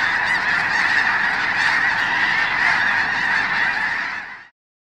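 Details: Snow Geese in a huge winter flock at Blackwater National Wildlife Refuge, Maryland, viewed from the Wildlife Drive; thick, steady honking chorus of many birds, ending abruptly.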